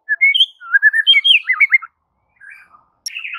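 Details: White-rumped shama song used to train silent birds: quick series of whistled, wavering notes, a gap, then a soft low phrase and a sharp chattering burst.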